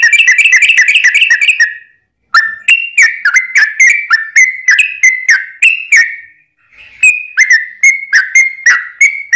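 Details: Lively yellow-vented bulbul in long rapid song, played to stir other bulbuls to answer; it opens with a fast chattering trill, pauses, then delivers a steady string of rich slurred whistles, pauses again and continues.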